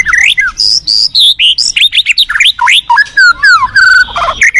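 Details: Continuous white-rumped shama song, heard in a forest setting. A fast, varied stream of loud whistled notes, some rising and some dropping, ends in a burst of scratchy notes.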